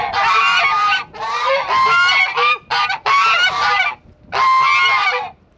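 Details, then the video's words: Flock-guarding geese on a farm, known to attack foxes and raccoons, giving loud, harsh, overlapping honks in long noisy bursts with brief gaps, several birds calling together. "Our geese the guardians of the flock"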